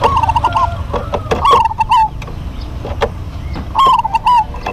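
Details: Short rippling coo phrases from duetting local zebra doves, separated by quieter gaps with clicks and knocks, ending in a clear trilled run of quick notes.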